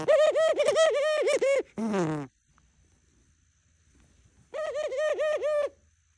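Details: A pet dove coos its morning greeting indoors: a quick series of pulsed, throbbing coos, a downward rasp, a quiet gap, then another rhythmic pulsed series, with a person laughing afterward.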